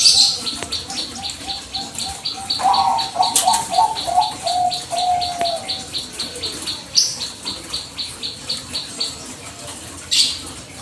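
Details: Bangkok-type zebra dove calling to coax a reply: a rapid bubbling coo series tumbles down between 2.5 and 6 seconds, while high, regular chirps from other birds pulse throughout.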